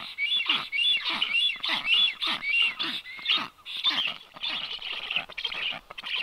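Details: Two strange black storks, one unringed, visiting a nest on 9 July 2023, one landing on the nest and the other on the camera: harsh, wheezy rasping calls in quick bursts, about two a second, hoarse and high with falling tails.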